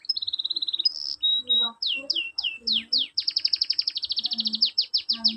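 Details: Canary song played to get reluctant canaries singing back: an opening rapid trill, a pure whistled note, then downward-sweeping slurred notes repeated about every half second, followed by a dense rolling trill with swept notes.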